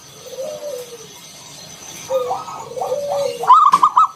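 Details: Zebra dove of local stock giving its ngalun kung bulat song, a lure for other doves: low, drawn-out coos falling gently in pitch, then a sudden quick rattle of bright coos at the end.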